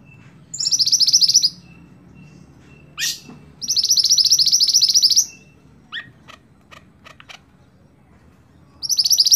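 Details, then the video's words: Scarlet-backed flowerpecker (mantenan) singing strongly, used to teach songbirds. Brisk, high, stuttering trills of about a second each repeat between sharp downward-sweeping chips and soft clicks. "Burung Mantenan Gacor Sicabe Merah"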